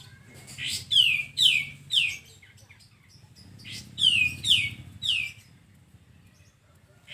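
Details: Sooty-headed bulbul in a tutor recording used to train caged birds; sharp high chirps sweeping steeply downward, given in two bursts of three or four notes separated by a few seconds of quiet, over a low background hum.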